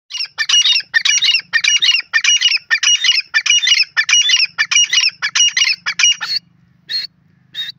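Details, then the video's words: Grey francolin calling in the breeding season: loud, harsh, squeaky phrases repeated rapidly, about eleven in six seconds, then a pause and two single sharp notes, over a faint low hum. "teetar ki souund,original voice,grey francolin bird ki boli"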